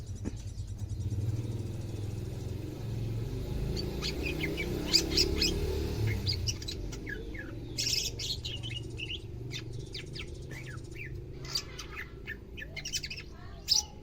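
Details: Pet greater green leafbird in Indonesia on its second day of care, becoming vocal: bursts of quick high chirps and slurred whistles, busier in the second half, with low background hum early on.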